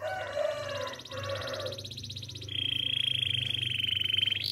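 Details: Russian canary with scratchy, mixed warbling at first, then a clear, even rolling trill held for about two seconds.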